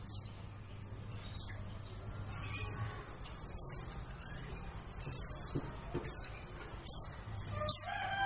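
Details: White-eye lure calls for attracting birds in the forest: a lively stream of thin, high notes each falling sharply, coming in quick clusters roughly every second, above a steady low hum.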